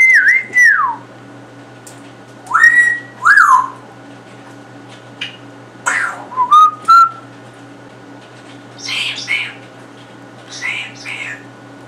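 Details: Pet male African grey parrot indoors, imitating sounds heard from first-person shooter games; arched whistles and a short rising whistle, followed by rough, noisy bursts, all over a low electrical hum.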